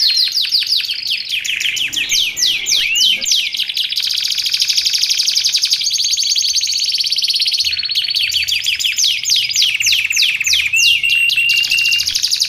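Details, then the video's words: Vigorous canary song meant for tutoring and luring canaries: continuous fast trills and rattles of high notes, shifting between rolls, a short pause near the middle, then a long steady whistled note at the close. "Suara Kicauan Burung Kenari Menggila Untuk Masteran Dan Pikat"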